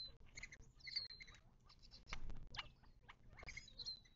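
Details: Wild birds at a desert watering hole in the western Mojave, southern California, on 19 March 2024: high squeaky chirps and downslurred notes mixed with scratchy clicks and one loud broadband rustle midway.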